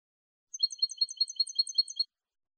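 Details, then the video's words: Malagueño-style European goldfinch song, clean, from a CD to train goldfinches: an even series of about ten tinkling, bell-like notes over a second and a half, steady in pitch, silence around. "NUEVO CD MALAGUEÑO LIMPIO PARA EDUCAR JILGUEROS"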